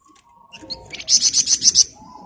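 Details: Flamboyan bird in full 'gacor ngebren rapat' song: a few scattered high chips build into a tight, rapid series of about six loud, sharp, buzzy high notes, with a soft background hum.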